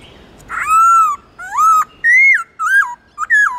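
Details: Black-throated laughingthrush singing loud, clear whistled phrases, a long level note, then rising and falling slurs with brief pauses between. The recording serves as training song for young or silent pet laughingthrushes.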